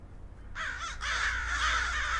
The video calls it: Multiple Crows Cawing